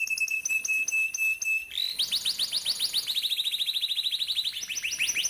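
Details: Young-canary training song: short repeated high notes over a steady whistled tone, then a dense rolling trill of quick descending sweeps that slows into spaced chirps.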